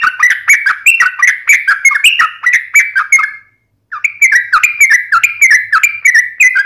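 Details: Trucukan, or sooty-headed bulbul, in fierce ngalas ropel song: rapid chains of liquid, chirpy whistles with quick up-and-down slurs, about four notes a second, pausing once briefly before resuming at the same pace.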